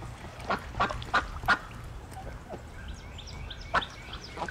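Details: Hooded merganser (Lophodytes cucullatus), male growl given while cocking the head back in display; audio is replaced sound effects: short, hoarse, froglike growls, four in quick succession then one more after a pause, faint chirps of other birds behind.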